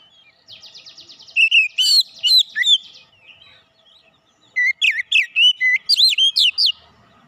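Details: Oriental magpie-robin with fighter character: a buzzy rattling trill leads into loud whistled notes, then after a pause a fast burst of repeated sweeping whistles.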